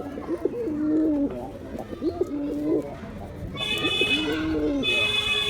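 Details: Male Giribuz pigeon performing, with repeated low rolling coo phrases about a second long separated by short gaps, and a faint high tone in the background.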